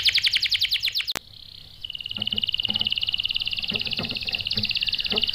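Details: Canary singing to goad other canaries into replying: a fast chirping trill, a sharp click, then a long, low-pitched rolling trill closing on a brighter rattle, with faint knocks beneath.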